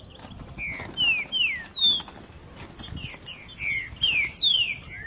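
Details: Green-winged saltator singing in the 3 nota boi style: a run of clear, loud, falling whistled notes delivered in quick, irregular succession over about five seconds, with a little low background rumble.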